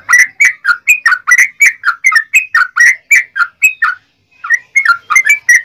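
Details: Yellow-vented bulbul delivering a long rapid song meant to provoke other bulbuls into singing: a fast, unbroken chain of bubbling whistled notes, about four each second, with one brief gap near the end.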